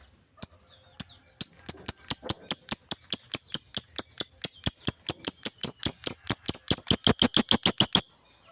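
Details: Lovebird in vigorous full song, a long run of shrill, clipped chirps that starts spaced out and speeds up steadily, becoming a dense rattling chatter over eight seconds.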